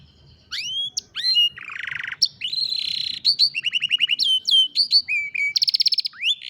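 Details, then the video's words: Canary song captured on a cellphone: rising whistled notes, a buzzy trill, then fast strings of repeated chirps and upswept notes, loud and clear. "الكناري بالتأكيد ستحب غناء الكناري الجميل هذا Canary Singing"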